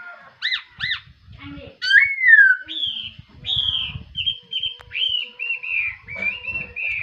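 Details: Morning song of a laughingthrush: paired clear notes, a loud descending slurred whistle, then a string of rising and falling whistled phrases, with faint low rumbling below.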